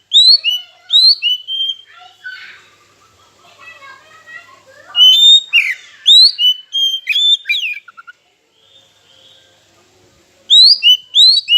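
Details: A lure recording of oriental magpie-robin song, used to make rival birds sing: upslurred whistled notes and varied phrases, a softer, scratchier stretch in the middle, then a lull and renewed rising whistles.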